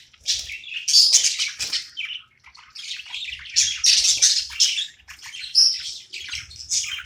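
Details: Pet budgie at play chatters in long, scratchy, high-pitched phrases with bright whistled squeaks, broken by a few short silences.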